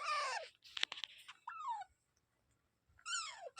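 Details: Parrot giving three loud, harsh calls with stacked harmonics, each sweeping downward in pitch and lasting about half a second, separated by short gaps and a brief clicking burst, in an otherwise quiet setting.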